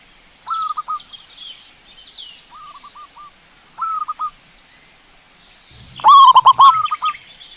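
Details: Zebra dove song meant to lure birds into singing: three quiet phrases of short stammering coos, then a loud, distorted burst of fast pulsing coos ending in a softer trailing phrase.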